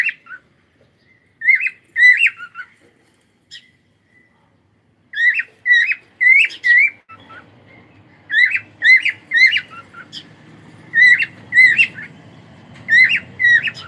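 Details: Cockatiel song of short, bright, bending whistles repeated roughly twice a second in clusters, with a low hum rising in the background during the second half.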